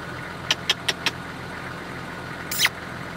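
Chestnut-naped francolin giving four quick, harsh, grating notes, then a longer rasping burst a second later, over a steady low hum.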